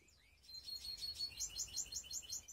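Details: Mixed canary (baster) from Skopje singing: after a faint opening whistle, a sustained high tone runs under a fast, bright rolling trill of repeated chirped notes, steady and continuous.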